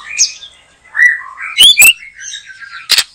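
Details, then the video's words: White-rumped shama (murai batu) singing in a backyard garden during bird trapping; loud, varied whistled phrases sliding up and down, mixed with sharp rising notes and short harsh bursts. "Mikat Burung Murai batu,,Sudah gacor dorrr"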